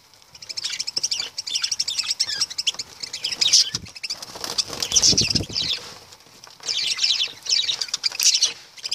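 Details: High, scratchy lovebird twittering comes in waves, mixed with fluttering and pattering sounds like wings or movement in a cage, plus a few sharper squeaks.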